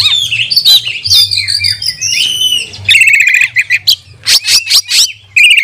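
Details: Oriental magpie-robin used as a lure recording to train other magpie-robins, in loud, varied song: sweet whistled phrases and slurs, then rapid buzzy trills and sharp repeated notes, with a faint low hum beneath.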